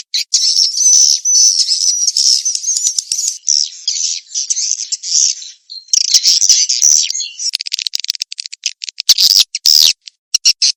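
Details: Swiftlet mating-chase lure call: a dense, high, twittering chatter of overlapping chirps and buzzy trills, broken by brief pauses and ending in faster clicking bursts.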